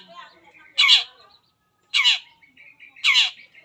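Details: Long-tailed shrike singing to prompt other shrikes: three loud grating bursts with falling tails, each about a second apart, between soft quieter warbling.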